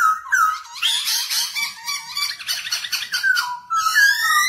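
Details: Black-throated laughingthrush song while dancing, for training young birds: a short falling whistle, then a busy, rich jumble of chattering and warbled notes, ending in layered rising whistles.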